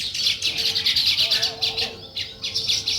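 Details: Sparrows chirping in the morning while weaver birds build a nest: a dense, fast chatter of high, bright chirps overlapping throughout, swelling and fading in bursts, with a steady low hum beneath.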